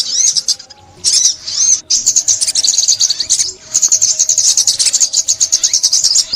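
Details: Sunbird song from a 2021 Vietnamese recording made for trapping sunbirds: rapid, very high thin twittering and trilled notes in long bursts, with brief pauses near one and two seconds and a faint low hum beneath.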